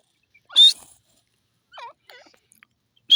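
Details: Grey francolin (teetar) call. A loud, high, whistled note with a rasping edge is followed by soft falling squeaks and quiet chirps. A second loud note starts at the end.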